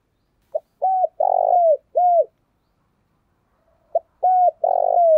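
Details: Decoy spotted dove giving the urgent 'thúc gù' coo used to provoke wild doves: a four-part phrase of a short note, a hoot, a long burry coo and a closing hoot, repeated after a three-second pause.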